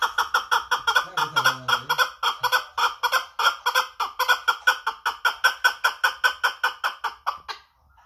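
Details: Hand-reared chukar partridge from Kangurt calling: a steady run of harsh, clucking 'chuk' notes, about three per second, held for seven seconds before stopping abruptly; brief low voice early on.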